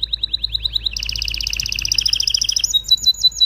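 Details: Canary singing to prepare both sexes for mating: a run of short repeated notes, then a rich fast double-pitched trill, ending in clipped whistled tours.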